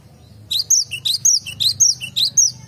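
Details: Cinereous tit in a garden giving a fast run of high, bright whistled notes, a down-slurred two-note motif repeated about four times in under three seconds, over soft low rumble.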